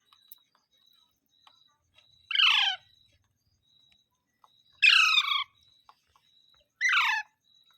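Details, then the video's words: Three rough, falling parrot squawks spaced about two seconds apart, over a faint steady high hum. "Parrot Sounds Videos Compilation | Mitthu Mitthu Parrot Sounds | मिट्ठू मिट्ठू |Funny parrot sound"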